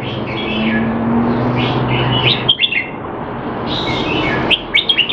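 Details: Red-whiskered bulbul kept in a cage in Singapore during a training session, not in form, 25 December 2020; two brief groups of sharp chirping notes separated by a pause, with constant low humming and background noise.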